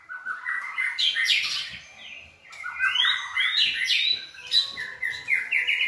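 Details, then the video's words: White-rumped shama song used to train another shama: rich, varied whistled phrases sweeping up and down, delivered in two long flowing bursts with brief pauses. "NÀI CHÒE LỬA | Đào tạo THANH cho lửa chuyền"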